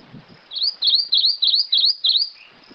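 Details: Rufous-crowned greenlet song of six high, evenly spaced whistled notes with a dip-and-rise shape, about three per second, ending with a lower short note and quiet background.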